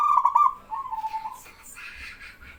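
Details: A male zebra dove, a local bird, sings to set other doves calling. A fast clipped burst leads into a falling, purring coo, then faint hissing and rustling noise follows.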